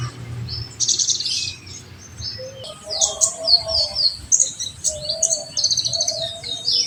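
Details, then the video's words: Olive-backed sunbird in full 'tembakan' song, used as a lure to stimulate untrained birds: high, thin chirps and buzzy trilled bursts in quick irregular runs, with faint low rumble beneath. "FULL TEMBAKAN UNTUK RANGSANGAN KONIN BAHAN"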